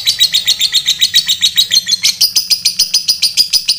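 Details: Fighter lovebird's ngetik-ngekek chatter, used to bait rival lovebirds into answering; even, rapid series of sharp, high, buzzy pulses, about four per second, rising slightly in pitch after two seconds.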